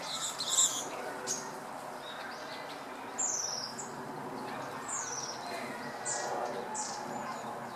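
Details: Park-dwelling wild red-billed leiothrix, afternoon of 25 November 2012, Panasonic LUMIX FZ200 camera; a series of clear, high downslurred calls, each a quick falling sweep, spaced about a second apart, with a sharp burst near the start and faint background hiss.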